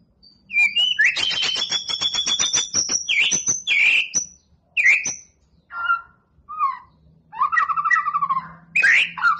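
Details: White-rumped shama in song while being prepared for a contest: a rapid train of buzzy clicks under sustained high whistles, then separate slurred notes, warbles and a short rolling phrase spaced by brief silences.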